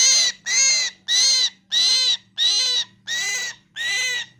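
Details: Repeated harsh, nasal myna squawks, seven strident calls of about half a second each at a regular pace, with a low steady hum in the background.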